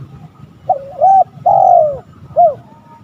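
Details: Single spotted dove phrase used to provoke rival males: a wavering rising double coo, a long smooth falling coo, then a short clipped closing note. Quiet low hum in the background.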